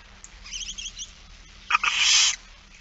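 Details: Barn owl begging during a feeding, 8 September 2019 at 16:02: soft high twittering notes, a couple of quick taps, then a loud, drawn-out breathy hiss of about half a second.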